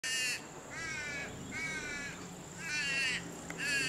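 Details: Purple swamphen pair at their nest as one parent arrives to relieve the other from nest duties: a series of loud, wavering, harmonic nasal calls, each about half a second, with short gaps between them and a steady high hiss behind.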